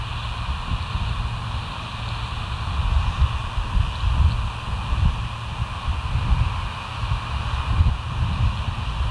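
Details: Continuous gusty wind rumble over the microphone with a faint steady hum, no animal voices present.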